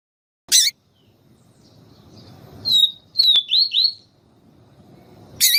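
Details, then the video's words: Female yellow-bellied seedeater calling to stimulate the male, siu siu style: between two sharp clicks, a short burst of high, slurred whistles dipping and rising in quick succession. "Canto Papa capim siu siu com Fêmea chamando para Esquentar papa capim siu siu"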